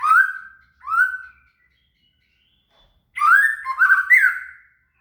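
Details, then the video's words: Shama (murai) song used as material for training a cililin: two short rich whistled phrases near mid pitch, a pause, then a longer warbling run of slurred whistles with buzzy overtones, clean and quiet background. "SUARA MURAI"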